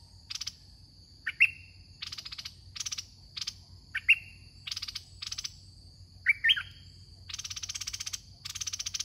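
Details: Red-whiskered bulbul in a cage, used as a decoy for a trapping contest; brief ringing whistled upslurs recur about every one to two seconds between long dry chattering pulse trains, with a constant high hum.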